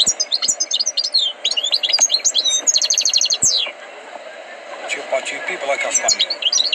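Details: Tutored European goldfinch singing energetic runs of sharp high chirps and a rapid trill, followed by softer notes mixed with voices and background noise.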